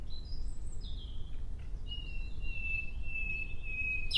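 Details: Nightingale producing short descending whistles followed by a long, pure, steady whistled note held for about two seconds, ending with a sudden sharp burst.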